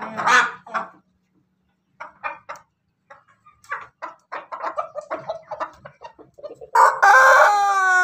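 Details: Afternoon crow of a Pelung chicken crossed with Bangkok and Ketawa lines, Jogja: a run of short clucking notes builds up, then a loud, sustained, strongly harmonic crow begins near the end.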